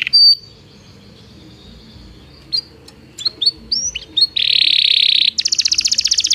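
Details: A Belgian canary sings bright whistled notes and quick chirps, then a dense buzzing roll and a fast, high, pulsing trill. The song is used to train canaries that do not sing.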